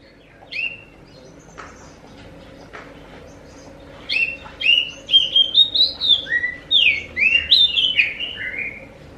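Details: Oriental magpie-robin (kacer) song, used as a lure to make other magpie-robins answer: quiet opening notes, then from the fourth second a fast run of loud whistled, slurred phrases, rising and falling, crowded together.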